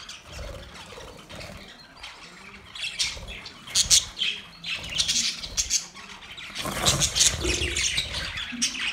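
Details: Budgerigars singing while mating: a loud, busy warble of harsh squawks, clicks and sharp chirps in irregular bursts, growing denser and louder after the midpoint, with low thumps and rustling beneath.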